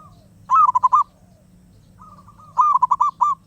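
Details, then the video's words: Two loud phrases of quick, staccato coos from a wild zebra dove, each about five notes, separated by a quieter stretch with softer coos farther off, over a steady low hum. "Burung perkutut Liar gak mau diam."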